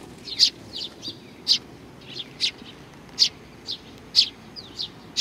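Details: Sparrows at Tenmangu shrine in Nakanoshima on 21 June 2020, arriving to be fed; bright single chirps repeated irregularly, with softer chirps from other birds between.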